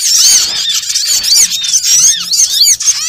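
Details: Small birds heard in a lure recording for trapping, producing a steady stream of high, arching chirps and sharp squeals crowded tightly together.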